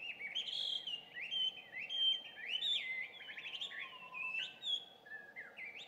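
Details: Introduced Chinese hwamei giving its loud morning song at about 5:30, June 2019; rich, varied whistles and sliding notes in quick succession, some held and some swooping, with low steady background hum.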